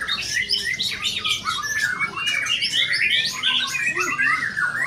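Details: Performing white-rumped shama delivering a continuous stream of bright, high whistles and twittering trills, rapidly changing phrases layered over a dense background chorus of other birds.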